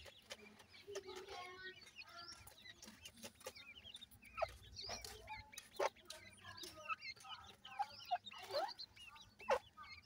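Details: Black francolin chicks kept in captivity: a busy chorus of short, high, rising and falling peeping chirps that overlap constantly, with faint human voices and low background rumble.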